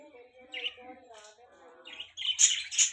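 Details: Budgerigars chirping: soft, low, wavering warbled tones give way to louder, scratchy high chirps in the final second.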